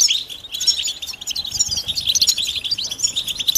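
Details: Many European goldfinches calling together, mating and readiness calls meant to stir males into singing; a dense, unbroken chorus of high, quick twittering chirps and tinkling notes overlapping throughout.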